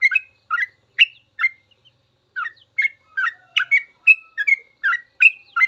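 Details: Long 'ropel' song of a sooty-headed bulbul, recorded to train caged birds: bursts of bright, slurred whistled chirps, a brief pause after four notes, then a quicker tumbling sequence of about a dozen bubbling notes.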